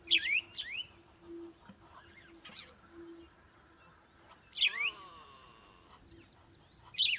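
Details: Captive pet zebra finch family giving short, bright, nasal chirps in scattered bursts of one to three notes over a faint steady hum; zebra finch.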